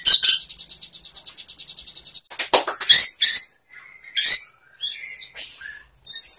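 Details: White-rumped shama tutor song played to make other shamas sing: a long, thin, high buzzy trill, then broken sharp chips and brief whistled fragments separated by short pauses.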